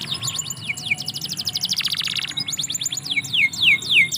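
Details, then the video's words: In a yard, a canary sings quick falling notes, a loud buzzy rattling burst, another run of rapid downstrokes, then three spaced, drawn-out falling whistles. "KICAU BURUNG KENARI - DIPEKARANGAN"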